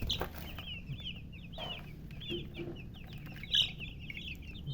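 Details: Newborn chicken chicks peep loudly in quick, overlapping bursts of bright, downslurred notes, with a couple of sharper, louder cheeps near the start and again past the middle, above a low background rumble.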